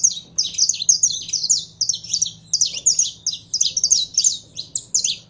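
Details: A kept saffron finch warms up in heated song: dense, nearly unbroken runs of sharp high chirps and slurred notes, fast and insistent for over five seconds, over a soft low background hum.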